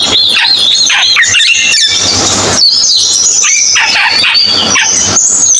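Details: Cucak keling song, loud and crowded with high whistles, looping warbles and falling slurs, running on without a break.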